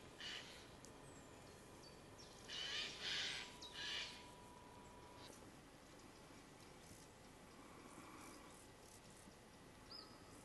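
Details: A little owl (Athene noctua) gives a few harsh, hissing screeches in quick succession, then falls quiet apart from a faint tone and steady background hiss.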